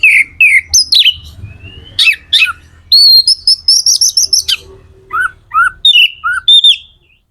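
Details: Oriental magpie-robin (kacer) singing energetically, used to rouse other magpie-robins into song; varied loud whistles, sharp upslurred notes and a rapid buzzy trilled phrase around the middle, then short rising whistles with brief pauses.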